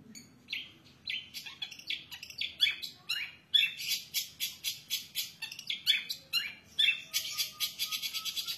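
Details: Long-tailed shrike song: a lively, jumbled mix of whistles, buzzy scraping notes and sharp chips, delivered in rapid irregular bursts.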